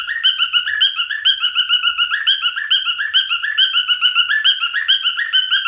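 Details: Male cockatiel singing: a fast, continuous warble of short, bright, harmonically rich chirps, about two per second, alternating between two pitch levels with no other sounds.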